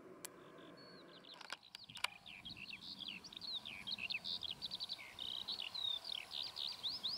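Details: On a very hot day, Eurasian skylarks perched low on poles watching over their territory rather than flying high. One pours out a long, unbroken stream of high, rapid chirrups, trills and slurred whistles, preceded by a few sharp clicks.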